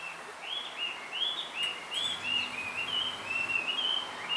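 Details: A male blue rock thrush in a bamboo grove calls for a female: a steady chain of bright whistled, arching notes, each swooping up and down, delivered rapidly for over four seconds, with a few faint high chirps behind.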